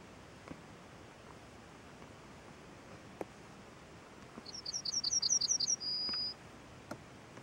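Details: Small bird on a branch gives one short song: a fast, even string of high chirps followed by a long flat whistled note, then quiet with faint ticks.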